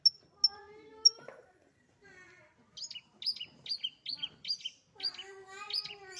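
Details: Pet long-tailed shrike singing in a lively style: three sharp, high, thin pips, then a run of short repeated chattering double notes that turn into a dense, buzzy phrase, with faint low tonal hums in the background.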